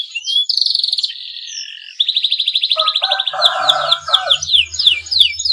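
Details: Breeding male canary singing to draw song from rival canaries: a steady trill and a fast rattling roll, then lower warbled notes under a series of quick descending chirps, with a low hum in the background.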